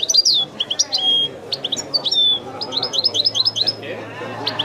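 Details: European goldfinch, singing in the authentic Widani manner: spaced high chirps and thin downslurred whistles, then a quicker run of repeated notes, over a faint low hum.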